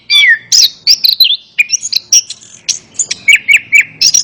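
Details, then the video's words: Orange-headed thrush song, used as training audio to coax a reluctant bird into singing: loud, varied whistled phrases and sharp chirps, some sliding down, with rapid high notes in quick succession and brief pauses. "Terapi Burung Anis Kembang | Atasi Burung Anis Kembang Malas Bunyi Ikut Nyaut"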